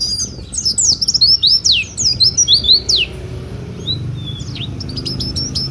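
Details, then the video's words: Oriental white-eye in full song (ngeplong), used as a tutor or lure. Fast shrill descending trills for three seconds, then a few scattered thin whistles over a low background hiss. "suara burung pleci gacor cocok buat masteran/atau buat pikat burung lain"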